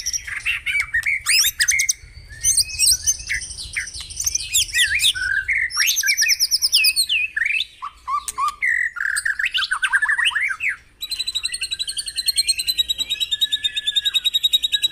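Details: Long morning lure of white-rumped shama song to prompt caged birds: layered rapid trills, buzzy rattles and swooping whistles, a brief lull near the end, then sustained high chattering trills.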